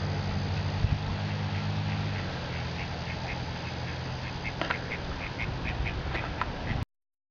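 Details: Snow geese call from a large flock at Châteauguay, Quebec, Canada on 14 September 2011: short, nasal, barking notes overlapping constantly, over a steady hiss and a low engine hum in the first two seconds.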